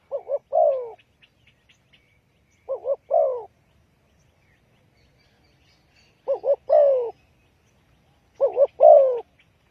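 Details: Spotted dove decoy call for catching wild birds: four low two-part coo phrases, a rapid doubled note then a longer sliding coo, spaced a few seconds apart, with faint high-pitched chirps of small birds behind.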